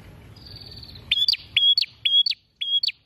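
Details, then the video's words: Prinia singing: a thin, high buzzy trill leads into four quick phrases, each a steady whistled note snapped off by a sharp falling flick, about two per second. "PRENJAK GACOR BUKA PARUH LEBAR PENUH PESONA"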